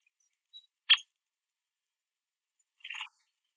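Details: Male Downy Woodpecker at a backyard platform feeder, eating sunflower seeds. It gives two short, sharp, quiet chip notes about two seconds apart, with silence around them.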